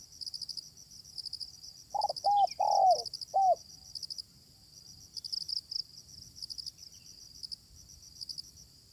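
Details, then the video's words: Fierce wild spotted dove answering a decoy bird during luring: a short burst of four mellow, bending coos close together, then quiet, with steady high insect buzzing throughout. "Pikat tekukur ketemu tekukur liar garang"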